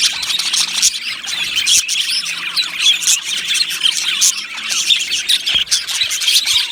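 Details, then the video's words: Many budgerigars chirp and sing together in an aviary colony, a constant busy chatter of high twittering notes broken by sudden harsher squawks and quick sharp clicks. "Beautiful Budgies Singing and Chirping Sounds"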